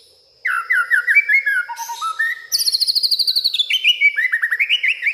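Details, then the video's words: White-rumped shama singing agitatedly at night, its mimicked garden fill pouring out: varied whistled phrases, quick note series stepping down then rising again, a fast high trill, and bright rising notes. "malam hari malah koar koar,,,murai batu ngamuk isian se kebon keluar"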